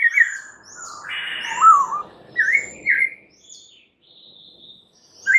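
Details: White-rumped shama lure song meant to make other shamas answer: varied whistled phrases, a warbling mid-pitched slur near the middle, high thin notes above, quieter soft notes toward the end.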